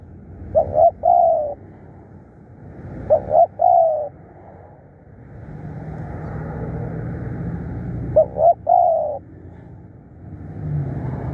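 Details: Fierce, hard-calling spotted dove decoy gives three spaced coo phrases, a quick double note and a long roll each time, while a vehicle drones through the middle and end.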